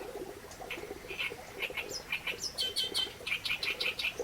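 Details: Reed warbler song of grating, repeated two-part notes delivered quickly and unevenly, rising into sharper, higher squeaks toward the end. A low background hum continues throughout.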